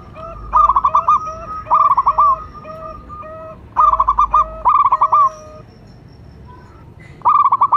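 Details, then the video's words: Local zebra dove, a perkutut, calling as a lure: repeated stuttering coo phrases, each a quick burst of notes ending in a rolled trill, with lower answering coos from other doves between the bursts. "Perkutut lokal gacor jawara pikat dan pancingan nada suara panggilan"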